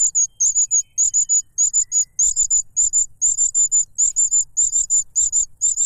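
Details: Cuckoo chick noisily begging while grabbing food from its foster father, who stuffs a butterfly into its mouth; high, thin chittering notes in tight bursts of three to four, repeated almost without pause, with faint low rumble beneath.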